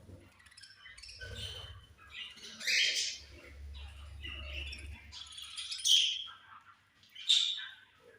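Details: Several budgies chirp at food time: scattered sharp, scratchy chirps and short squawks come in irregular bursts, with a steady low hum beneath them.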